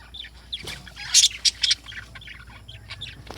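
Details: Lovebirds in the morning with soft twittering broken by three loud, harsh shrieks in a row, then quieter chirps resuming.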